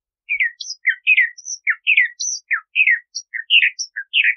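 Bahama mockingbird singing a fast, varied run of chirped and slurred phrases, each note changing pitch, delivered almost without pause; no other sounds.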